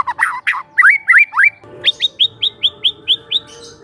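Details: Young forest White-rumped shama serving as a training lure, opening with harsh chattering notes and rising whistled slurs, then a fast run of around eight crisp upward-flicked whistles about four per second.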